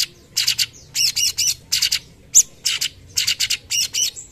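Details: Cucak cungkok singing in full voice, a training song for other birds: loud, clear whistled and chattering phrases in short bursts about every half second, sharp emphatic notes, faint low hum underneath.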